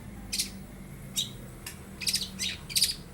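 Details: Young long-tailed shrike mimicking lovebird and house sparrow calls, giving brief sharp chirps, some clustered in quick pairs, over a faint low hum.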